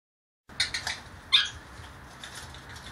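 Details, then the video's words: Young blue Quaker parakeet, a caged baby pet in a temporary cage for its first days, gives a few short harsh squawks in a quick burst, then one louder squawk, with quiet room hum behind. "the Quaker making funny noises"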